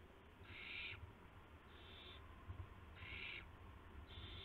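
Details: Owls at the nest just after midnight, March 19, 2016, during deliveries of mice and a gopher to owlets. Alternating louder and softer breathy hisses, four in all, sit over a low droning hum.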